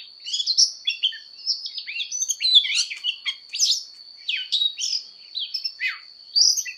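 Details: Singing Oriental magpie-robin in fighting song for voice training: bursts of warbled whistles and buzzy slurs, phrases falling and rising, separated by brief pauses, over a constant high whine.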